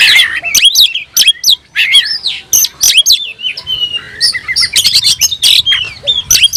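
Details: Oriental magpie-robin singing while looking for a rival: loud, varied phrases of sharp whistles, rising and falling slurs and harsh clicks, delivered in quick bursts with brief pauses.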